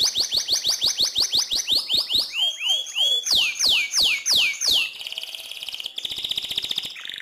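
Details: AFS canary in long rolling song ('ngerol panjang'), used as a master recording for training white-rumped shamas: rapid series of high descending sweeps repeated about three times a second, shifting into slower looping sweeps and then a buzzy, dense trill.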